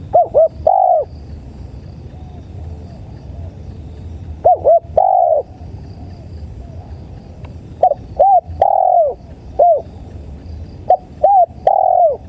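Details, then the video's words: Lure recording of a spotted dove (tekukur) giving repeated coo phrases roughly every three to four seconds. Each has short hooked notes leading into a fuller, longer coo, with a steady low hum and faint high chirps behind. "MP3 SUARA TEKUKUR"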